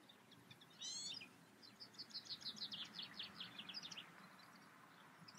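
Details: European goldfinch in the Eifel: a short buzzy trill, then a lively cascade of tinkling, twittering notes, over a soft low background rumble.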